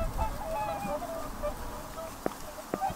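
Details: Several whooper swans uttering soft, nasal honks in a continuous chorus, with two brief sharp knocks late on and a low rumbling backdrop.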